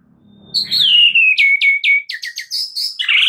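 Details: Song of a white-rumped shama used as a lure to make another shama sing its full repertoire: a long sliding whistle falling in pitch, followed by a quick run of sharp repeated upswept notes and high flourishes.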